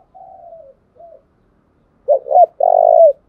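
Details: Spotted dove acting as a decoy to prompt wild doves to coo: a soft drawn-out falling coo and brief note, then a loud phrase of two short rising notes and a long low coo.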